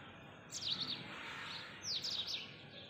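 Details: A blue rock thrush along a ring road at Urun Islampur, Walwa, Sangli, Maharashtra, at 08:28 on 8 February 2021, gives two brief bursts of high, sharp chirping notes about a second apart over a steady background hiss.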